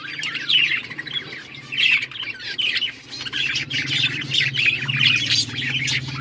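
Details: Australian parrots twittering together in bursts of bright chirps and short squawks, with a steady low mechanical hum running underneath.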